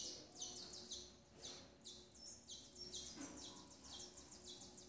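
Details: A captive female Double-collared seedeater feeds her nestlings; clusters of high, descending chirps come in quick bursts over a noisy, humming background.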